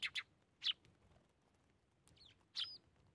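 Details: Eurasian tree sparrows feeding in the morning in winter in Japan; sharp high chirps, some in quick pairs, with a few wavering upslurred notes, separated by quiet gaps.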